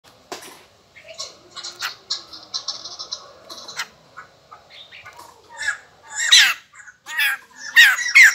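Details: White-crested laughingthrush, called bồ chao, singing after eating a gecko, which is said to set it singing and dancing all day; varied phrases of sustained whistled notes, then loud harsh rising and falling bursts near the end.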